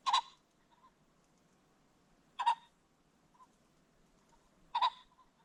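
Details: Creek-bottom Ring-necked pheasant at sundown: three harsh, rasping calls spaced evenly about two and a half seconds apart, separated by small muffled notes, against a still background.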